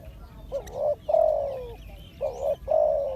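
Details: Close Spotted dove used as a decoy for trapping, uttering paired loud low coos, a short note then a long slurring one, twice over, with faint high chirps of other birds.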